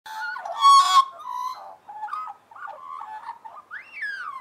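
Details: Several Australian magpies warbling together in harmony: varied gurgling, modulated notes with a loud, harsh burst near the start and a clear rising-then-falling whistle at the end.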